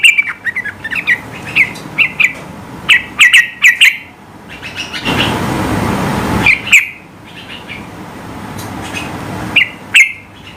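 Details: Yellow-vented bulbul singing high, rival-provoking song: clusters of bright bubbly chirps, then a loud rushing noise burst for about a second and a half, followed by further scattered chirped phrases.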